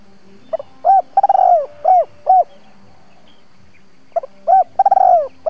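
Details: Lure spotted dove giving its double-voice call to stir wild doves into cooing, one full phrase of stuttered and rounded coos, a pause of about two seconds, then the phrase starts again.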